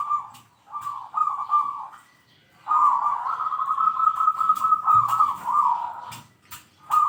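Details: Zebra dove with a strong 'kung' voice, used to call rivals. Short burbling coos, then a long, sustained, trembling coo lasting over three seconds, ending in a clipped final phrase.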